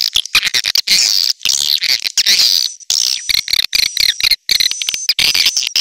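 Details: Swiftlet calling sound meant to lure birds: fast clicking pulses and chattering twitters broken by short gaps, with a faint sustained high whistle in the second half.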